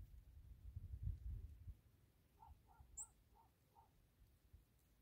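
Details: Quail near a house on an autumn desert evening, 11-07-2023, with apple trees nearby: a short run of five soft, evenly spaced clucking notes, one brief high chirp, after low rumbling handling noise.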